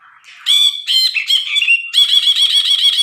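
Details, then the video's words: Brinji (bulbul) singing actively on a training recording for cage birds: after a faint start, loud grating buzzy phrases and a drawn-out whistle lead into a rapid rattling chatter. "MASTERAN BRINJI GACOR"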